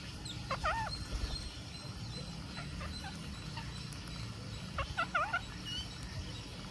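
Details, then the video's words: Green parakeet from India calling during feeding: two short bursts of squeaky, wavering tonal notes near the start and again around five seconds, over a steady low background hum. "Green Parakeet Feeding"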